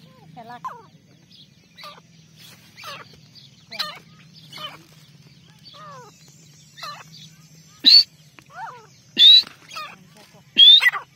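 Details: Partridge used as a decoy for hunting repeats short, harsh calls about once a second that grow louder toward the end, with sharp rising whistled notes in the last phrases over a steady low hum.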